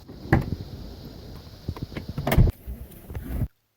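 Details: Car interior sounds: a power window or sliding door whirs, thumps and clicks over a low rumble, then everything cuts to silence.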